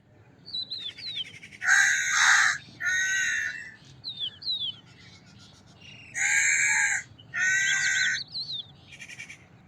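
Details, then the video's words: Crow cawing: four harsh, hoarse caws in two pairs, each under a second long, with thin high whistles and chirps of small birds between them. "Sound of a Crow - Crow Cawing Sound Effect"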